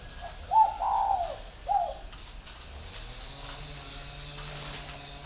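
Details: Spotted dove decoy bird with a whistle-like voice, northern Vietnam bird garden near Hanoi: one brief coo phrase of a short note, a longer falling note and a clipped tail note, followed by several seconds of quiet with a low hum.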